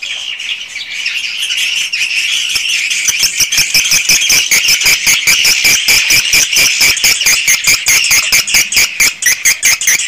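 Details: Swiftlets in a swiftlet house: high squeaky chatter at first, then joined by a fast, regular train of sharp clicks, about two per second, continuing to the end.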